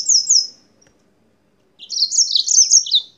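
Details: Yellow-fronted canary from Spain: two clear high slurred notes, silence, then a dense energetic warble of overlapping high chirps lasting over a second.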